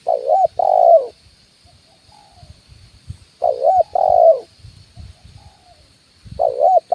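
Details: Spotted dove decoy call of the 'kuk 1' style, recorded on a branch and on the ground: a wavering first coo followed by a longer steady coo, the pair repeated about every three seconds, three phrases in all, with faint low rustling between.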